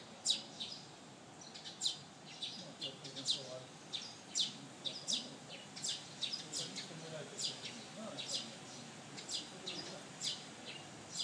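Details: A young sparrow begs for food and gets ignored. It gives a dense run of bright, high chirps, sometimes doubled, against steady outdoor background noise.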